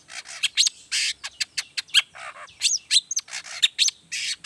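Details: Long-tailed shrike singing the varied 'toet toet' song used to coax other shrikes into song, a dense, nonstop stream of harsh rasping notes mixed with quick high whistled slurs and clicks.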